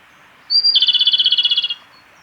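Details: A male Japanese robin at Yanagisawa Pass, 28 April 2019, delivers one song phrase: a long, high introductory whistle, then a quick, evenly pulsed rattling trill of around fifteen notes that fades out after about a second.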